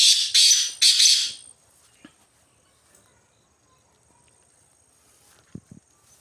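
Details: Black francolin roaming free in the jungle in the wild, giving three loud, harsh, grating notes in quick succession over the first second and a half, followed by near silence with a few faint low thumps.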